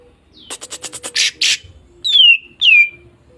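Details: Fighter-type greater green leafbird song used to provoke other birds. It opens with a fast run of harsh, rattling, buzzy bursts. Two loud, clear whistles follow, each sweeping downward. A faint low hum sits in the background.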